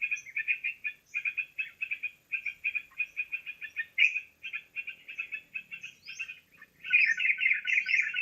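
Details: Lure recording of yellow-vented bulbul for bird trapping: fast bursts of bright chattering notes in short phrases, ending in a louder, denser run, with occasional high thin upslurs.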